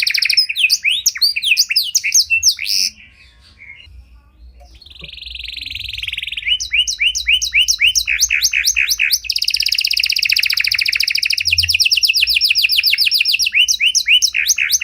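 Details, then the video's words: Panda canary song, cengkok mewah style, for baiting and training other canaries: fast chirps, a pause, a soft buzzy tone, then descending whistles building into a long intense trill and more sweeping notes. "Pancingan Suara Burung Kenari Panda Cengkok Mewah! Ampuh Buat Memancing Maupun Melatih Kenari Lain"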